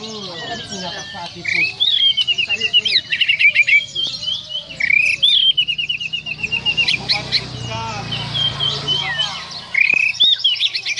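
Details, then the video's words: Bornean white-rumped shama in song: a fast, varied stream of high whistled and chattering phrases with rapid trills and sharp notes, in bursts with brief pauses, over faint low background noise. "Suara Burung Murai Batu Borneo CODET"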